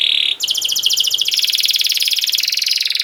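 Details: Canary song used to train young canaries: a brief steady buzz, then a rapid, even, pulsing roll of high rattling notes continuing throughout.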